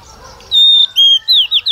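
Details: Female decoy Oriental magpie-robin singing to spur males: a clear level whistle, a second slightly lower one, then quick descending slurred notes.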